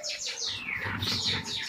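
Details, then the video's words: An Amazon parrot gives a quick run of high, downward-sweeping whistled chirps, about five in under two seconds, over a low background rumble. "Amazon parrot talking"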